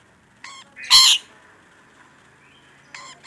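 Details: Rainbow lorikeet calling actively, with one loud, raspy, broad screech flanked by shorter, fainter harsh notes, against near-silence.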